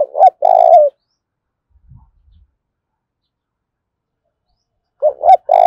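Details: Spotted dove in an intense 'thúc' fight, thổ pha đồng voice: a throaty double-note-and-coo phrase, faint low thumps, then after about four seconds another hoarse cooing phrase.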